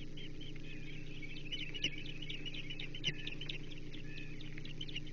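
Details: Osprey nest on the Chesapeake, 1 June 2024, male bringing a menhaden fish; a fast, uneven series of faint, high chirps, about four per second, with two brief louder clicks, against a strong low rumble.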